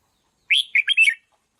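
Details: Single song phrase of a trained decoy red-whiskered bulbul: a rising whistled note then three or four quick, liquid, rolling notes, clear and loud with no background.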